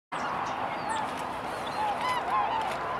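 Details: A flock of tundra swans (Cygnus columbianus) in Yolo County gives a steady chorus of overlapping mellow, yelping hoots, with a few clearer high notes rising above.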